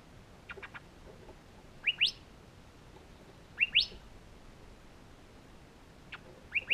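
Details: Curve-billed thrasher (Toxostoma curvirostre), begging call: chick begging.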